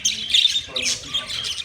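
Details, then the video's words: Budgerigars in a large cage chirping together, a dense blend of bright warbling, squeaky chatter and short scratchy notes, with brief quiet gaps between bursts. "Beautiful Budgies sound Budgie chirping sound in master Cage"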